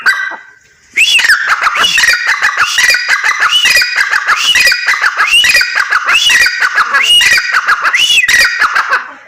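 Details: Female grey francolin (teetar) calling: loud, rhythmic squeaky notes with rising-falling loops, repeated roughly every second after a brief pause at the start.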